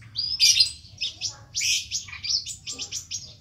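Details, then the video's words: Ninja sunbird (kolibri ninja) singing constantly with a rich, varied 'isian' song: rapid high chirps, twitters and trills tumbling together in quick bursts, with a few lower notes beneath. "Burung kolibri ninja gacor full isian mewah"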